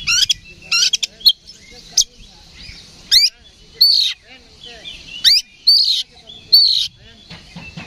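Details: Oriental magpie-robin in a combative, loud 'ngeplong' song used to provoke rivals: separate bright phrases of steep whistled sweeps and harsh rattling notes every second or so, with silent gaps between.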